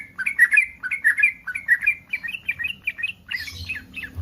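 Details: Breeding-condition yellow-vented bulbul giving a rapid run of warbled, bouncing chirps, used to lure rival bulbuls into replying; after about three seconds the notes turn higher and scratchier, with faint low background rumble.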